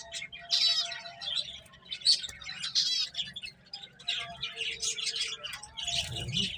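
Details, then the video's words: Finches eating and playing, uttering bursts of high chirps and a few buzzy trilled notes with short gaps between, over a low hum and a brief low thump near the end. "Cute Birds Chirping Sounds | Beautiful Finches Eating and Playing"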